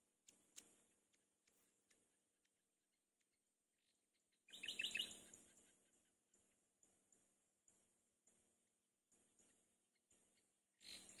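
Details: Mourning dove nestling by itself in a wild nest, seeking its mother: quiet scattered chirps, then a loud rustling burst carrying rapid high squeaks, followed by soft, irregular ticks and a final short rustle.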